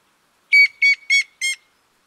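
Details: Grey-headed woodpecker calling: four short, ringing notes about a quarter second apart, evenly pitched and slightly harsh, the last one softer, with silence before and after.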